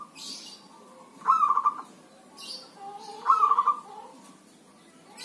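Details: Healthy zebra dove kept by an owner, singing despite rain or drizzle: two clear bursts of fast trilled cooing about two seconds apart, softer sounds between, faint rain-like hiss.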